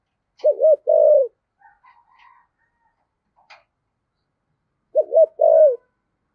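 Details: Spotted dove in the deep thổ voice style, a song for prompting wild-caught doves to coo along: two low coo phrases about four seconds apart, each a quick double note then a sustained coo, with faint thin chirps between.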